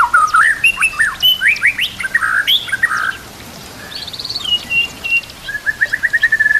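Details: Training song of a white-rumped shama laced with kapas tembak and cililin canary phrases: loud rich whistles and swooping notes, then a quieter high trill and a final series of quick repeated chirps at a steady pitch.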